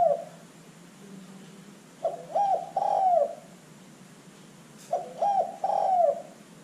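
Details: Zebra dove calling, used as a lure so other birds answer; phrases of quick stuttering coos closing with a drawn-out, downward-bending note, repeated roughly every three seconds over faint background hiss.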